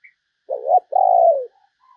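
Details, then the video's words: A single coo phrase from a spotted dove kept as a decoy for luring wild doves: a brief quavering lead-in, then a drawn-out, smooth, slightly descending hoot, with no other sounds. "chim cu gáy kích bổi mới"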